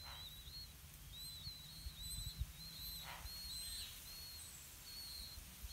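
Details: Blue-winged pitta at a nest, parents bringing earthworms to feed growing chicks: thin, high whistled notes, each slightly falling, given in an irregular string over low rural background rumble.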